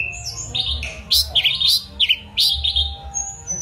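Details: Mangrove blue flycatcher song of loud, sweet, slurred whistles, some swooping up and down, delivered in short bursts over a low steady hum.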